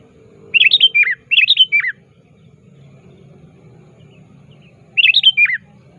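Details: Active sooty-headed bulbul calling a rival, played as a lure for trapping: two quick phrases of liquid up-and-down notes ending in a falling note, a pause, then one more phrase over soft low background rumble.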